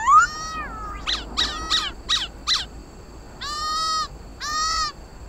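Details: Black laughingthrush (khướu mun) song used to stimulate caged pet laughingthrushes to sing: clear whistled notes, a long slurred whistle, then quick down-swept chips and two loud harmonic-rich sustained phrases.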